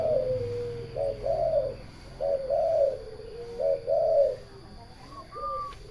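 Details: Spotted dove (tekukur), recorded alongside local zebra doves: three low, mellow cooing phrases of a few soft notes each, roughly one per second apart, followed by a couple of higher, fainter notes near the end, over a low steady hum.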